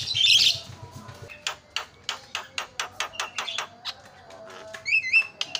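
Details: Javan myna sound meant to prompt silent mynas to call: a loud burst, then a train of sharp clicking notes with brief whistled chirps near the end.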